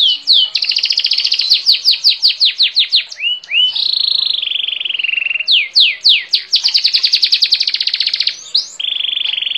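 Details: Canary singing loudly: fast trills and falling chirps, a steady whistled tone, rolling trills again, ending on a held whistle.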